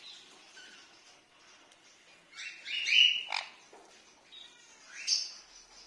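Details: A tame red-factor Sun conure, filmed during hand feeding, gives a few harsh, raspy squawks in short bursts, the loudest two about two seconds apart, over soft background noise.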